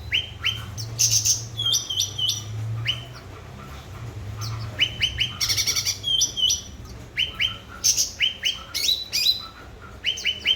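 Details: Energetic cucak ranting bulbul song meant to coax quiet birds into singing: quick downslurred whistles in rapid runs with harsh buzzy high chatters between, over a low steady hum.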